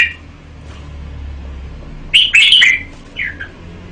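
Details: A caged red-whiskered bulbul sings a short burst of bright, warbled whistled notes, followed by a brief two-note phrase after a quiet pause.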